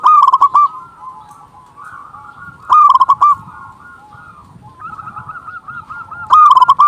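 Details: Vocal local zebra dove, played to draw in doves and stir quiet ones to sing, gives three loud phrases of quick stuttering coos about three seconds apart over a steady backdrop of fainter dove calls.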